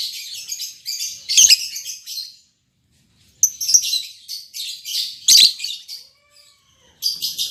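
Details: Lovebird pair, newly matched albino MM male and lutino MM female, with strings of piercing, squeaky chirps and grating chatter, a short silent break, then more shrill bursts.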